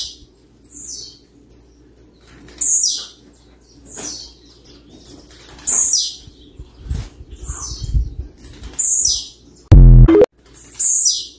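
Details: Singing blue-black grassquit, played to provoke rivals: high, thin repeated notes and buzzy falling sweeps in steady series, with a sudden loud electronic-like burst near the end and faint low rumbling.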